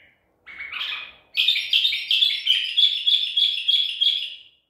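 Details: Captive Baghdadi tor white-eared bulbul, caught at Medical City, recorded 14 April 2021. A scratchy opening note is followed by a rapid run of bright, chattering notes, about three each second, fading at the end.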